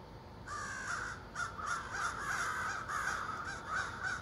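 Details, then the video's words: Morning wake-up calls from a roost of 30+ common ravens living in trees across the street: harsh, croaking calls, several overlapping in quick irregular succession, with a faint steady hiss behind. "morning wake up call with ravens"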